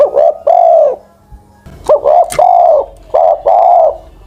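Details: Aged decoy Spotted Dove, over ten years old, cooing steadily: three low phrases of short notes followed by a long smooth coo, with a brief click and rustle between the first two.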